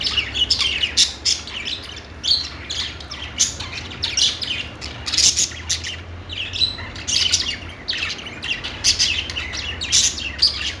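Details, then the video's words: Budgerigars singing: dense, continuous chatter of scratchy chirps, squeaks and short warbled notes, bursts every second or so, over a faint low steady hum. "budgies singing | budgie sounds | parakeet chirping sounds"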